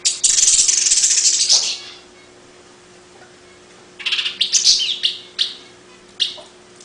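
Long-tailed paradise whydah song: a dry, hissing high rattle lasting over a second, a short pause, then a scatter of sharp, high chirps and twitters.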